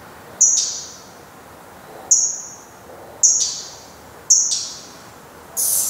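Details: Nest of a black redstart, 24 May 2020, with the last of four chicks leaving; an adult gives four clear, high, slightly descending whistles with attached clicks, spaced one to two seconds apart.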